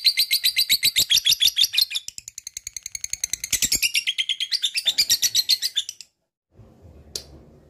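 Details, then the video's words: Lovebird ngekek chattering song, long and in strong form: fast high rasping notes for two seconds, a softer stuttering passage, then a second loud run of harsh pulses ending at six seconds, followed by faint background noise and one chirp. "SUARA BURUNG LOVEBIRD NGEKEK GACOR PANJANG"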